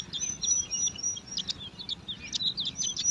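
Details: High, thin begging squeaks from five bar-winged prinia chicks competing at their nest in alang-alang grass, rapid overlapping chips and a steady faint whistle throughout, with low rumbling noise beneath.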